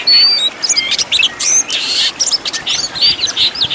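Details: Oriental magpie-robin master song for training caged birds: opens with a clear high whistle, then harsh raspy bursts and quick chattering notes alternating in choppy phrases.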